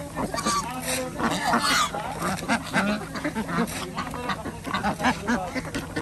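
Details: Farm ducks at feeding time on an organic village duck farm in Andhra Pradesh, with chickens and geese kept alongside; a busy chorus of overlapping nasal quacks, rough and irregular, over a steady low mechanical hum.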